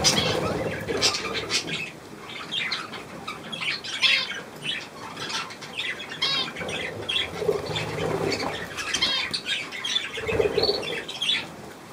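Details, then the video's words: Young budgerigars with millet, recorded 3 May 2024: a flock keeps up dense, scratchy chattering squawks and warbling chirps, overlapping without pause, with faint rustling and a low voice underneath. "Hirse und die Jungen Wellis"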